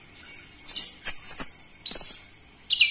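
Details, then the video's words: Orange-headed thrush lure song with a loud voice: short, very high thin whistled phrases with sharp attacks, three quick bursts within a few seconds. "Pancingan Burung Anis Merah Cepat Teler Suara Kenceng"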